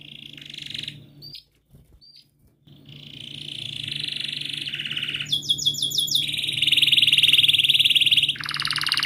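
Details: Canary song used to stimulate a silent canary: a buzzy trill, a pause, then a long steady rolling trill rising into a harsher fast roll and high chirps.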